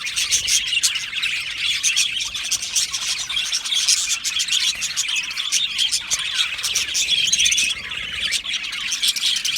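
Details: Aviary-kept Australian budgies chattering as a colony, a thick, unbroken blend of rapid high chirps and warbled notes, with the flock sounding slightly quieter near the end.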